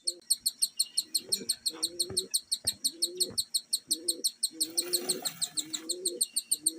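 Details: Cockatiel chicks in a cage beg with rapid, high, scratchy chirps about three times a second while their parents feed them.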